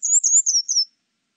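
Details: Grey wagtail recorded in 2020 for Korea's National Institute of Biological Resources: a fast, thin, high twittering phrase of linked notes, gently rising then falling, lasting under a second.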